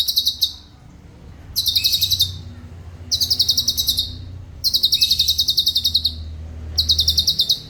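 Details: Tutor recording of a black-crested bulbul, a bird that imitates others: five bursts of rapid, high, even-paced trilling, each about a second long, with short gaps and a soft low hum behind.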